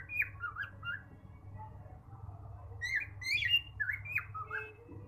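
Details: A male cockatiel calls with a run of scratchy, warbling whistles, some swooping up and down, louder in the second half, over a constant low background hum.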